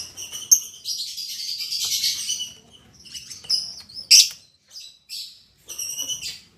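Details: Albino MM male and lutino MM female lovebird, newly put together as a pair in a cage: piercing chirps and a long buzzy chatter, then scattered sharp squeaks and a final cluster of high notes.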